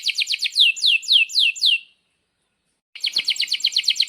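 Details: Vigorous canary song for training young canaries: quick chips running into slower, loud descending whistles, a second of silence, then a fast rolling trill.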